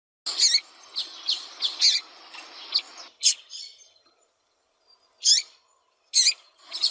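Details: Female double-collared seedeater piping and calling repeatedly to stimulate a cold male: clustered high, thin chirps for three seconds, then isolated chirps spaced about a second apart.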